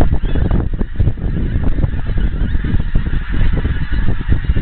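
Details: A large flock of wild geese in Scotland, heard gradually approaching from far away: a dense, continuous chorus of overlapping honks from many birds, over a strong low rumble throughout.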